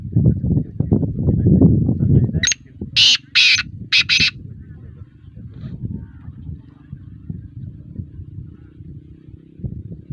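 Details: Black francolin (kala teetar) calling: a burst of four loud, harsh, grating notes spread over about two seconds, the last two closer together, over steady low rumbling background noise.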